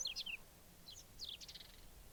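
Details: Singing whinchat, Obninsk, 29 April 2023, delivers a brief scratchy phrase of quick high chirps and descending twitters, then a second tight cluster of buzzy notes.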